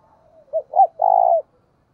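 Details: Lure spotted dove cooing, from recordings of thúc and gáy gọi calling. A single phrase of two quick, clipped rising notes, then a long, even, mellow coo that tails off downward. A quiet drawn-out note comes before it.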